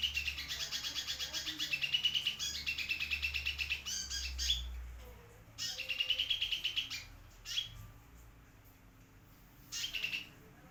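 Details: Sunbird in full song, kept as a tutor recording for white-rumped shamas and oriental magpie-robins: long runs of quick, bright, high chirps in phrases of several seconds, separated by quiet gaps and single sharp notes, with a low hum.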